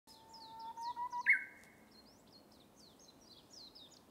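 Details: Japanese bush warbler (uguisu) singing in a bamboo forest: a long, low, steady whistle that rises slightly, then a sharp, higher, loud flourish, while small birds chirp high and busily in the background.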